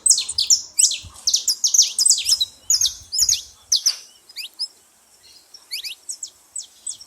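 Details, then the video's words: Saffron finch noisily calling at a baited feeding spot: rapid high chirps crowd the first half, then thin to scattered sharp downslurred notes, with a few soft low knocks. "canário da terra fazendo muito barulho na seva"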